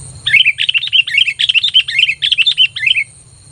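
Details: Sooty-headed bulbul lure call for attracting other bulbuls; a fast, lively run of about twenty bright twittering chirps lasting nearly three seconds, loud and clear over a low hum.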